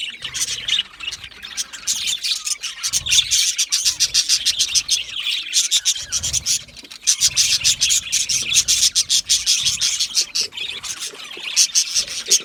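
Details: Many budgie parrots chirping together in an aviary, a continuous, rhythmic wash of fast high chirps and chatter with short dips in loudness.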